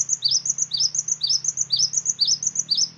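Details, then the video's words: Cinereous tit song played as a lure for other birds: sharp upslurred whistles paired into phrases, repeating evenly roughly two per second over a faint low hum. "pancingan gelatik batu"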